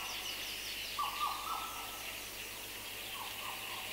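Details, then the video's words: Black parrot singing among other birds, including a Madagascar cuckoo: one level whistled phrase with slurred notes, then two soft downslurred notes later, over constant high background chatter. "Black Parrot. MCU Song"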